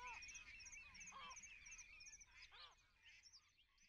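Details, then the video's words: Water rail at Rutland Water Nature Reserve in January 2022 gives harsh, squealing, arched cries about a second apart, over a busy background of other small birds' chattering song. "Water Rail"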